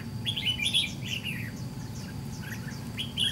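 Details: White-cheeked red-whiskered bulbul answering a decoy in a trap fight: a quick run of loud, slurred whistles at the start, softer chirps after, and a fresh bright phrase near the end over low background rumble.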